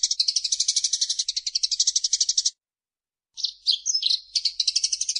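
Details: Eurasian tree sparrow song used as a tutor recording for songbirds: fast, dry chirps at about a dozen a second, then a short pause and a burst of mixed twittering chirps.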